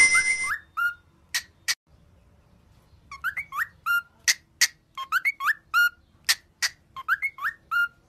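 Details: Cockatiel singing a training song meant to cheer: phrases of rising slurred whistles mixed with sharp bright chips, repeated in quick bursts after a short pause. A brief harsh electronic-sounding burst opens the clip.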